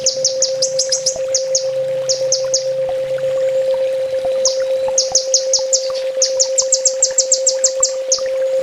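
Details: Sunbird master song, 'full tembak' style, for training birds: rapid runs of sharp high downslurred notes in quick bursts, over a steady hum with a faint low rumble early on.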